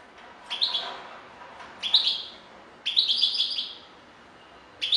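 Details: Goldfinch song in four bursts of rapid, liquid twitters and buzzy trills, the longest lasting close to a second, with short gaps of quiet background hiss between them.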